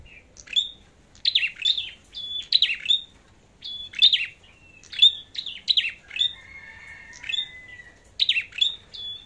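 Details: Red-headed flowerpecker competing in song: dense clusters of high, thin, sharp notes and short whistles, with a faint, long, slightly falling whistle in the second half.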